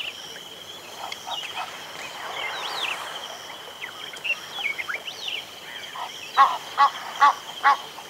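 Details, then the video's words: Several Egyptian geese calling: four loud, harsh, evenly spaced honks near the end. A steady high insect drone runs throughout, with thin twittering lark notes scattered over it. "Egyptian Goose. Several Birds Calling"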